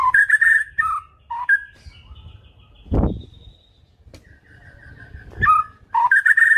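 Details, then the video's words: White-rumped shama song packed with isian (filler phrases): clear whistled notes and short bright slurs, then a dull thump and low rumbling background before more whistles return at the end. "BURUNG MURAI‼️ SUARA ISIAN KUMPLIT"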